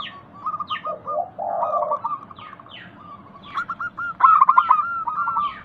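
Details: Local zebra dove singing to stimulate silent doves: stuttering notes flow into a rough purring coo, then a new phrase of quick clipped notes, while small birds chirp loudly around it.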